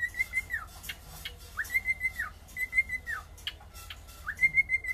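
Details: Whistled song of a cockatiel: four rising-level-falling phrases roughly a second apart, interspersed with short clicks and chirpy ticks, over a quiet low hum.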